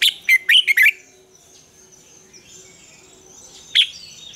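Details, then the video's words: A red-whiskered bulbul sings double-note morning song in mature wild style, used to train other bulbuls. Four fast, loud, bubbling notes open the clip, then faint high chirps follow and one more sharp note comes near the end. "luyện chào mào hót sáng, Ép chào mào hót âm kép già rừng hay tuyệt!"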